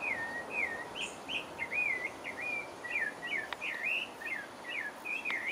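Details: Pale-breasted thrush (Turdus leucomelas) singing in French Guiana: a continuous run of clear whistled phrases, each a quick up-and-down slur, about ten in under six seconds, with faint hiss behind.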